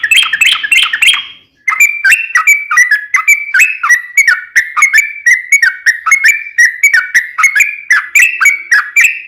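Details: Sooty-headed bulbul with a long rolling song used to provoke others into singing back; a continuous stream of quick, liquid, descending whistled notes, repeated steadily for several seconds.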